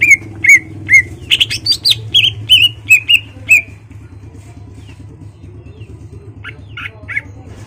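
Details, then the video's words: Caged greater green leafbird singing to provoke a rival to fight: about ten loud whistled slurred notes with buzzy bursts over the first four seconds, then near quiet with a few faint distant notes and low hum. "CUCAK IJO GACOR MEMANCING EMOSI LAWAN AGAR MAU JAMTROK DAN TARUNG"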